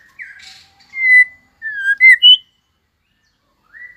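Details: White-rumped shama competition song: a soft buzzy note, then clear whistled notes, a falling slur and quick high rising whistles, followed by silence and one last faint rising whistle.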